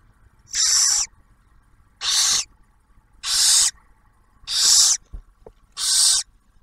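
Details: At an Ohio wildlife refuge nest box, a barn owl pair feeds their first owlet. Five rasping, airy screeches about half a second long come at a fairly steady pace, roughly one every 1.3 seconds, over quiet background.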